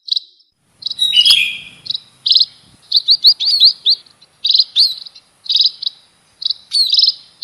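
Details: Munia song: high, thin chirps and short buzzy trills in quick bursts separated by brief pauses, with one harsher, lower chattering note early on; a fairly clean recording with no other clear sounds.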